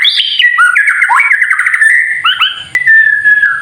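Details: White-rumped shama singing a kretekan-style song, played to provoke other shamas into singing: loud whistled phrases that slide and step between notes, a long wavering middle section, then falling notes with faint low noise beneath and a steady thin high tone throughout.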